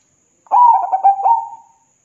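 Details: Local zebra dove in full song, played as a lure to stir reluctant birds into singing: one soft cooing phrase of quick stuttered notes running into a drawn-out, level final coo, in clean silence.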